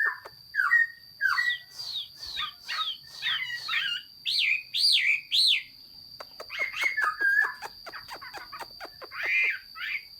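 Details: Chinese hwamei in song: a busy sequence of looping, rising-and-falling whistled phrases and short repeated notes, loud and varied, with a constant high-pitched tone running underneath.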